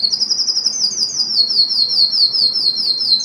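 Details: Canary song to excite females for mating: a very fast, even high-pitched trill of repeated falling notes, slowly dropping in pitch over three seconds.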